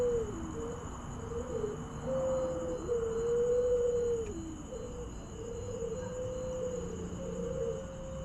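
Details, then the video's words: Puter pelung dove heard at night on 1 Suro, giving a run of low, mellow coos, some long and level, others short and dipping, repeated steadily for several seconds over a constant low hum. "puter pelung bunyi pada malam 1 syuro bikin merinding"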